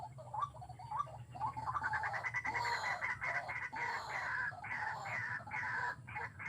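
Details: White-breasted waterhen calling during trapping with hanging snares, described as remarkably fierce; harsh, croaking notes repeat rapidly and overlap almost continuously, with a steady low hum underneath.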